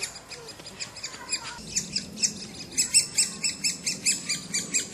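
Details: Woodpecker from a 2007 recording: uneven high chirps at first, settling into a louder rhythmic run of sharp notes in the second half.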